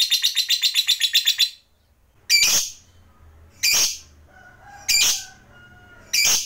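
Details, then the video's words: Lovebird, a trigger recording said to provoke other lovebirds into a long 'ngekek panjang' trill: a fast, high, evenly pulsed chatter for about a second and a half, then four sharp, harsh single chips spaced over a second apart. "JAGONYA MENTRIGER LOVEBIRD, Labet Apapun Yang Dengar Jadi PANAS, CEPAT NARIK Ngekek Panjang"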